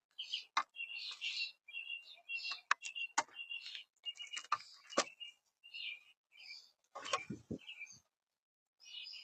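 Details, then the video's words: Very young Red-bellied Woodpeckers in Florida. Harsh, buzzy chirrs and short scratchy notes come in quick uneven bursts, with sharp clicks and taps scattered between them and brief silent gaps. "Super Young Red-bellied Woodpeckers"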